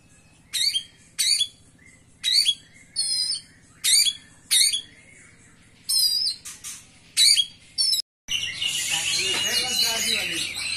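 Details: Oriental magpie-robin, a third-place contest singer, producing brief harsh, high squawky notes roughly every second, followed after a short cut by a loud dense wash of many birds chattering together.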